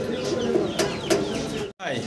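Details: Domestic pigeon, possibly of a pair currently on eggs, gives low, throaty rolling coos while people talk nearby.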